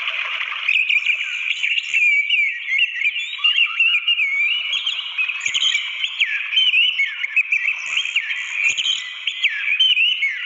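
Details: Orange-headed thrush singing in the wild beside a waterfall: a continuous, rapid stream of varied whistled phrases with sharp rising and falling slurs, mid to high pitched, over a steady hiss of falling water.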